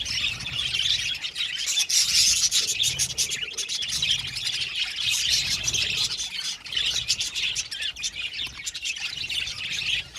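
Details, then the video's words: Budgerigar colony in an aviary giving a continuous dense chorus of bright chirps and warbles, fast and unbroken for the whole stretch. "Beautiful budgies singing sound | budgies chirping sound"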